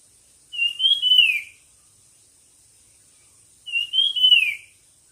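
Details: Two loud whistled phrases from a bird at a singing competition, each rising slightly then sweeping down. Three seconds of quiet separate them.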